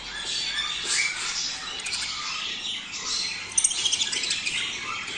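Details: Budgerigars, male and female, heard in a mating call meant to stimulate breeding: dense, continuous high chattering and squawky warbling from several birds, with short buzzy notes and a brief burst of sharper chirps near the end.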